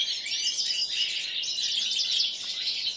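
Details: Seven-month-old common linnet × canary hybrids, kept caged among goldfinches, singing a continuous, dense, high twittering warble of rapid chirps and trills, with no pauses across the stretch.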